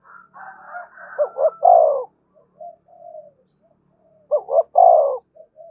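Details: Spotted dove luring call to bring wild doves to the decoy: two phrases of short rising notes ending in a long low coo, with quieter hoarse notes before and between.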